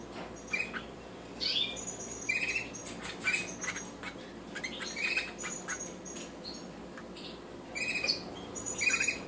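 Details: European goldfinch song, the birds described as colourful hybrids: short bright twittering bursts with metallic high notes, repeated every second or so across nine seconds, separated by quiet gaps over a steady low hum.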